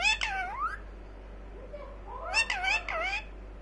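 A rose-ringed parakeet talks in a high, squeaky voice, with short swooping syllables in two bursts and a quieter murmur between them.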